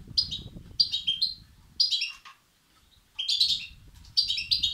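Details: Begging goldfinch chicks, a sound used to excite and stimulate males; quick clusters of high, rasping chirps, then a near-silent second-long pause before the twittering resumes, with low rumble underneath.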